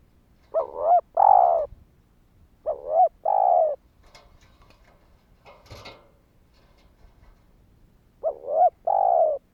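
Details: Spotted dove calling to prompt other doves to call: three bursts of paired coos, a short two-note coo followed by a longer purring coo, with gaps of about two seconds; faint rustling and a brief click between phrases.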